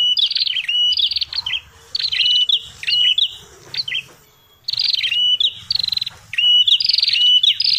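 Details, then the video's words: Red-headed prinia lure call: clusters of grating, fast-ticking buzzes ending in hooked whistle notes, given in uneven groups with a quiet pause of about a second midway. "suara prenjak tamu prenjak kepala merah ribut paling jitu buat pikat"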